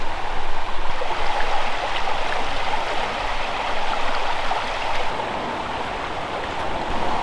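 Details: Rushing stream water pours steadily from start to end, with no animal voice.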